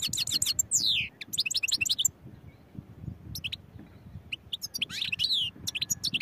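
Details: A European goldfinch sings a lively, continuous twittering song of rapid high chirps, sweeping slurred notes and buzzy trills, broken by brief pauses, over a low background rumble.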